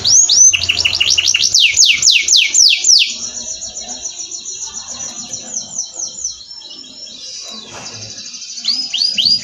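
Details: Canary song from an Indonesian masteran training recording: a loud series of rapid falling whistles gives way to a softer rolling trill and quieter chatter, ending with renewed bright swooping notes.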